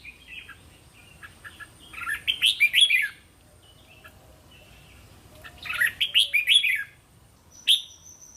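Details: Training song of a red-whiskered bulbul for teaching caged youngsters linked phrases; two rich warbled bursts of several quick descending notes about three and a half seconds apart, faint chirps between, one sharp note near the end.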